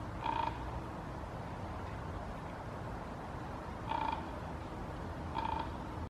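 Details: A common raven, probably perched unseen in trees in Helsinki, Finland, in September 2021, gives three short, hoarse, fairly high calls about three and one and a half seconds apart, over a steady low rumble of distant noise.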